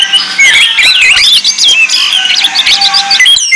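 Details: Orange-headed thrush song meant to lure or train birds, a busy stream of varied whistles, quick up-and-down slurs and chattering notes, tightly packed with barely any pauses.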